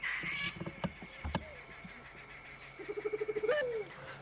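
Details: White-faced scops owl calling during an evening safari drive in the African bush, giving a quick stuttering run of about ten low hoots ending in a longer rising-then-falling note; faint clicks and a voice come earlier.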